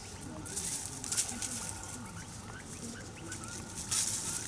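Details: A family of five Taiwan hill partridges foraging in Dashue Mountain National Park, Dong-xi District, Taichung City, January 2021; gentle short chirps, some slightly upslurred, amid bursts of leaf rustling and scratching.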